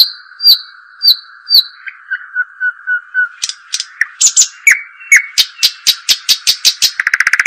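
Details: European robin singing: thin high whistled notes repeated about every half second, then a varied run of sharp descending notes that speeds into a rapid trill at the end, over a steady high tone throughout.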